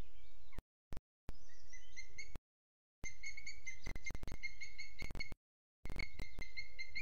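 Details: Booted eagle (Hieraaetus pennatus) calling at 07:20 on 12 June 2022, recorded by webcam in Sierra de Guadarrama National Park: thin, high whistled notes in short repeated runs, steady in pitch, over wind rumble and handling noise.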